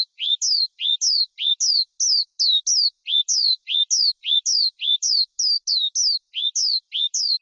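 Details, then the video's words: Skylark (chim sơn ca rừng) song used by keepers to lure wild birds, trap, or train young birds; paired high notes, a short rising chirp then a falling slur, repeated in quick even phrases about every 0.4 seconds, no background noise. "Tiếng Chim Sơn Ca Rừng Hót Hay Nhất"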